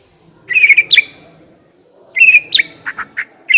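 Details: Lure recording of white-rumped shama song meant to prompt another shama to sing: short bursts of bright warbled and slurred notes separated by pauses, with a few low clicks near the end.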